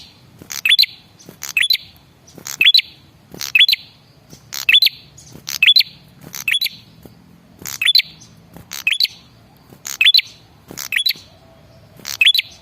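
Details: Male red-headed prinia lure call intended to make other birds reply: steady series of high click-chirp bursts, about one every second, with little else audible.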